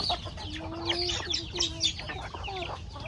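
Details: Hungry backyard chickens feeding on corn in a rustic farmyard, giving low drawn-out clucks and short murmurs, overlaid with high scratchy chirps and pecking clatter from the flock.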